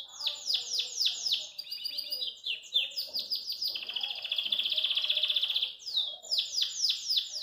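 A Belgian canary sings loud, bright phrases of rapid downward-sweeping notes. Midway these give way to a fast, buzzing trill, then the sweeping notes return.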